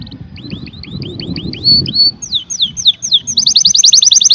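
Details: Canary song opening with a series of rising whistled notes, followed by downslurred sweeps and ending in a rapid high trill, with low background rumble.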